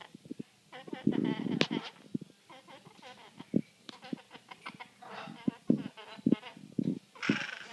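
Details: A female great-billed parrot talks in short, speech-like bursts of syllables and squawky mimicked words, with brief pauses between phrases and some scratchy clicks.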